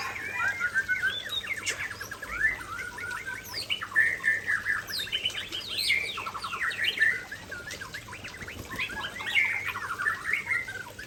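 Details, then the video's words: Near a waterfall, an Aceh white-rumped shama pours out a rich, varied song of rapid whistles, trills and rattling notes in loud bursts with short pauses. "Murai Aceh Gacor dekat Air Terjun"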